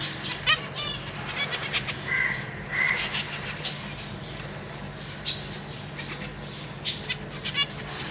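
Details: Caged zebra finches: a breeding pair with three juveniles and three newly fledged chicks that have just left the nest, parents busy feeding them. Scattered short, nasal, harmonic call notes and a few clipped tones over a steady low hum and broadband noise.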